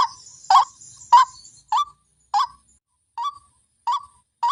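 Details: White-breasted waterhen lure call, described as fierce: regular, loud, clipped croaking notes about every half second, with a faint high hiss early on.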